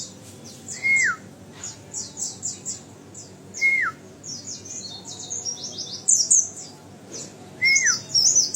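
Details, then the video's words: One-year-old captive white-eye giving high, thin twittering phrases in scattered bursts, with a lower descending whistled note recurring three times, over a soft background hum. "Pesona Pleci Konservasi Umur 1thn"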